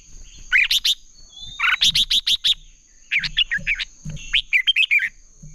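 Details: Red-whiskered bulbul singing in contest style to train birds: clusters of rapid buzzy notes, five or six in quick series, alternating with jumbled whistled warbles, over a steady faint high tone.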